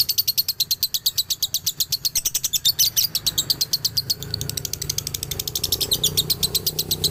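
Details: Male lovebird from Ciamis, Galendo strain, singing a dobelan. Loud, fast, high chirps at first, then the chirps turn softer and denser into a rapid, twittering run.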